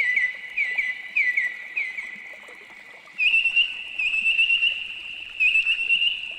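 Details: Australian noisy miner calling in rapid series of clipped, slurred notes, a lower run first and then a brighter, higher run after a short pause, with a constant high-pitched hum behind.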